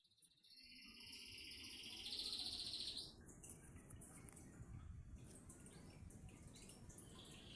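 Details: Canary singing in Sidoarjo, Indonesia: a loud rapid high trill held for about a second, then quieter varied twittering phrases and scattered chips.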